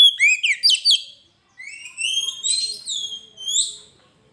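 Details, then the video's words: Oriental magpie-robin (kacer) with gacor song for a training master and lure: a quick burst of sharp rising chirps, a brief pause, then long sweeping whistles rising to a high upslurred note. "Suara burung Kacer gacor masteran pancingan suara burung kacer"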